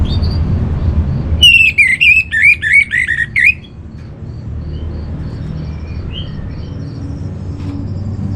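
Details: Training song of an orange-headed thrush for kept birds: one vigorous two-second phrase of looping, slurred whistles in quick succession, then quieter background with faint chirps and a low steady drone.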